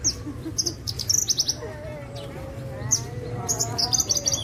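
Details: Javan bushlark, Parva form, pouring out clusters of very high, rapid ticking chirps in two bursts separated by a quieter pause with faint wavering tones.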